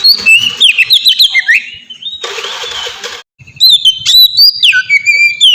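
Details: Oriental magpie-robin singing in ngeplong style as a lure for young birds: quick slurred whistles and chips, interrupted by a one-second burst of hissing noise, then more varied whistled phrases.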